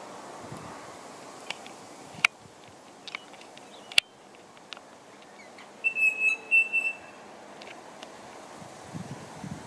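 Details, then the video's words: Twenty-eight parrot (Barnardius zonarius semitorquatus) in Perth suburbs, southwest Australia, giving a short burst of four or five clear, high whistled notes in quick succession, with scattered clicks and faint hiss. "28 parrot (Barnardius zonarius semitorquatus)"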